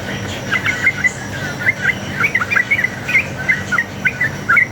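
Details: Sooty-headed bulbul in lively, fighting-style 'ropel' song used as a lure to make other bulbuls answer: bubbly whistled notes around the mid range, chirped in quick uneven bursts, over a low steady hum and faint insect noise.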